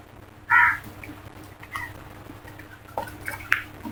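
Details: A single short, harsh caw from a crow in a flock, followed by faint scattered calls over a low steady background hum.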